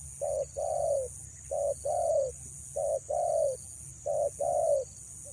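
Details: Female spotted dove calling to lure males: low hollow coos in three-note phrases, one short note followed by a longer drawn-out coo, repeated about every 1.5 seconds over a steady high electronic hiss.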